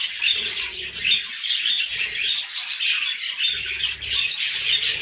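Budgerigars chatter in a steady, high warble of quick squeaks and chirps that never pauses, with a few soft low thuds now and then.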